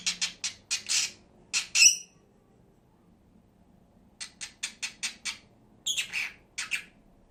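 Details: Two pet lovebirds: quick bursts of shrill, high chirps, a short silence, then another rapid chirping run with a few rougher squawks.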